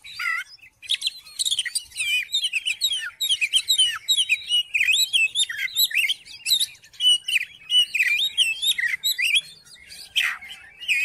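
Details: Oriental magpie-robin in full song, offered to provoke a non-singing magpie-robin: a fast, unbroken stream of varied chirps, whistles and twitters over eleven seconds, ending with a downward slurred note.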